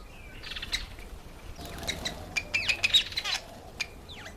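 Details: Cape weaver giving a rapid chattering series: harsh buzzy bursts mixed with short sharp whistled notes, loudest in the second half, with a few softer scattered chirps before and after against a quiet outdoor background.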